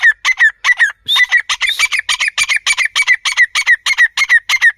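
Grey francolin chicks give rapid, harsh, squeaky notes, about three a second, in a steady run with no other sounds.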